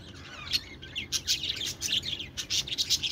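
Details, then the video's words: Budgerigars chattering continuously, a dense stream of high, rapid chirps and warbles that overlap throughout, with a low background hum. "parakeet chirping sounds | budgie sounds"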